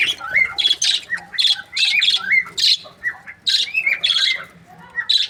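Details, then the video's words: Budgerigars in breeding pairs chirp in a steady warble of harsh buzzy notes mixed with short whistled, slurred chirps, phrases pulsing roughly every half second. "Amazing budgie chirping sound | breeding pairs"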